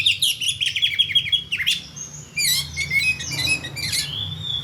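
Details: Kacer, or magpie-robin, in full-play calling: a fast run of sharp high whistled notes, then squeaky chattering and rising whistles, very rich and varied, over a faint low hum.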